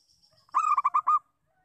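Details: A single quick phrase of five ringing, slightly rolling coo notes from a local zebra dove's lure call, preceded by a soft high whistle.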